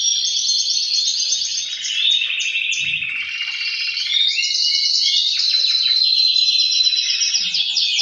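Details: Several male canaries sing over one another, the noise meant to spur breeding. The chorus is a thick wall of fast trills and chattering rolls, with long sustained whistles threading through and steady loudness.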